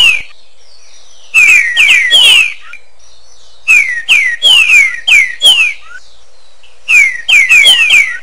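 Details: Song of a green-winged saltator with echo, delivered as three quick bursts of three to five clear falling whistles, with brief silences between bursts.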